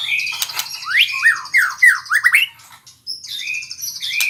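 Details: White-rumped shama learning to sing rolling trills: loud whistled swoops rising and falling in quick succession, with a steady buzzy trill running high above and a brief pause before the phrase resumes.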